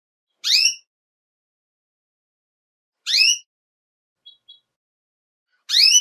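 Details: A female Belgian canary calls in the breeding season to stimulate males, giving short, bright chirping calls about every two and a half seconds, with a couple of faint high ticks between them.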